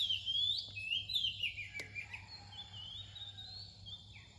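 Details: Pre-dawn song of an Oriental magpie-robin: loud sweet whistled phrases with sharp downward slides, then softer drawn-out notes trailing away, with a low constant hum behind.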